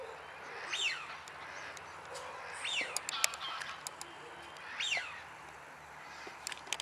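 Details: Rosy-billed pochard (Netta peposaca), one of a pair at Landgoed Hoenderdaell, Anna Paulowna, Netherlands, gives three short, harsh, wheezy calls about two seconds apart over faint background hiss and occasional clicks.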